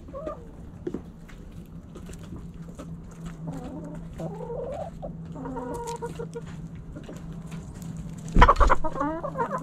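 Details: Backyard hens and roosters pecking and scratching; soft short clucks with harmonic bands scattered throughout, a loud scratchy burst near the end, and a steady low hum underneath.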